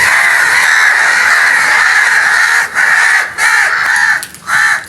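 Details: Frightened crows making a loud noise, a long continuous stretch of harsh overlapping cawing that breaks into shorter separate caws near the end.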